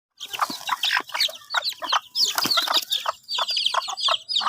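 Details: A Kate bantam hen, red in the face and round-bodied, gives busy rapid clucks and squawks in dense bursts, signs that she is ready to lay.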